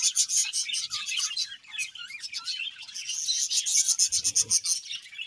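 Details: Budgerigar breeding pair chirping: a dense, continuous warble of high scratchy chatter and quick chirps, with a faint low rustle partway through.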